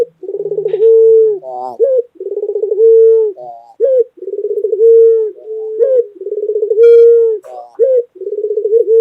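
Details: Pet white collared dove of the local type, calling loudly. Low cooing phrases repeat about every two seconds, each a rapid rolling stutter that settles into a drawn-out steady note, followed by a short rising flourish.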